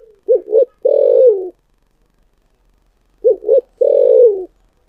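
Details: Spotted dove cooing in the style known locally as 'thổ sấm' (thunder voice): two short throaty notes followed by one long, deep, slightly falling coo, the phrase repeated twice in clean silence.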